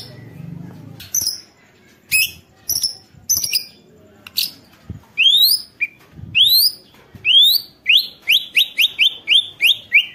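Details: White-rumped shama song meant as a lure for other shamas: sharp chips building into rising slurred whistles, ending in a rapid series of quick upslurred notes.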